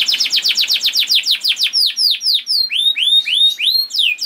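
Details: Canary singing as a masteran recording meant to make other canaries sing: a rapid series of about fifteen steep downward whistled sweeps, then slower, wider rising-and-falling notes in clean, quiet surroundings.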